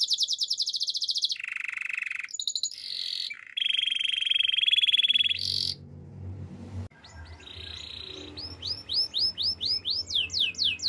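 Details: Spanish Timbrado canary song for training, mixing loud buzzy rolls and metallic trills at varying pitch, then after a break a softer series of quick arched whistles with background noise.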